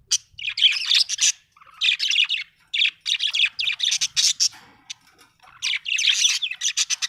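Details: A happy budgie chirps in quick runs of buzzy, clicking warbles and sharp tweets, coming in clustered bursts separated by brief silences.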